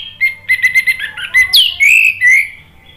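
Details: Orange-headed thrush song used to stir another bird to respond: a quick stutter of repeated chirps, a sharp high upsweep, then two long, clear, smoothly bending whistles.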